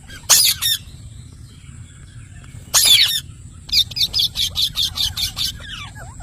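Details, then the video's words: Two loud, harsh parrot screeches separated by a pause, then an evenly spaced run of about eight shorter squawks. "parrot natural sound mithu"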